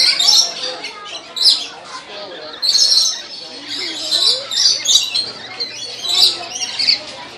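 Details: Lorikeets in a feeding exhibit at Columbus zoo, visitors feeding them from cups; harsh high screeching squawks in repeated bursts about every second, with faint visitor voices and background music.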